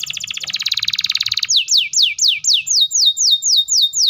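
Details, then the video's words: Canary, a singing bird, in a long rapid roll meant to make young and silent canaries answer: a fast buzzy trill for about a second and a half, then loud downslurred whistles repeated about four times a second. "KENARI GACOR ROLL PANJANG SPEED RAPAT❗CUKUP 3 DETIK KENARI PAUD DAN MACET TOTOL SEKETIKA NYAUT!"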